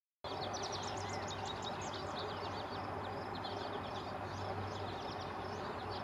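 Eastern kingbird giving rapid, high, sputtering chatters of short sharp notes throughout, over a steady low engine-like hum and broad background noise.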